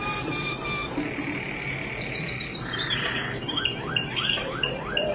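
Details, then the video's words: Malinois Waterslager canary song opens with long, level sustained whistles, then shifts into a rhythmic run of swooping downslurred notes repeated about once every quarter second. "Special Malinois Waterslager Canary Singing | Một chút đặc biệt đến từ chú chim yến hót Waterslager"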